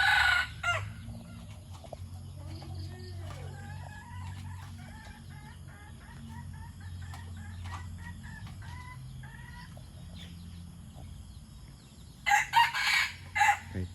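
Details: White-coloured junglefowl, kept as a decoy bird, crowing: a loud harsh burst opens, then a long stretch of quieter chirping from other birds over a low rumble, before a second crow of several rough, broken syllables near the end.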